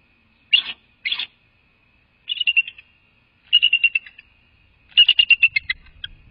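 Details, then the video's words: Female Bald Eagle vocalizing at her nest on a live nest camera, 10 January 2024: bursts of high, thin chittering notes, two short squeals, then three quick runs of rapid descending pips, with a faint low rumble near the end. "The Female Bald Eagle vocalizes!"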